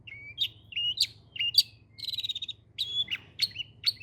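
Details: Long-tailed shrike singing a fast, varied phrase: sharp rising whistles and chirps, a rapid buzzy rattle of evenly spaced notes in the middle, then more clipped high chirps, in a quiet background.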